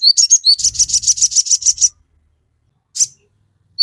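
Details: Crimson sunbird singing for captive birds to copy: a rapid steady row of sharp, high chipping notes about four per second with faint low knocking beneath, ending in a lone chirp after a pause.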